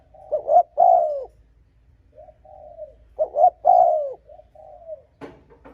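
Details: Cooing of a spotted dove meant to provoke and lure rival males: the phrase of two short notes and a long, falling coo, trailed by a softer coo, comes twice about three seconds apart. Faint clicks follow near the end.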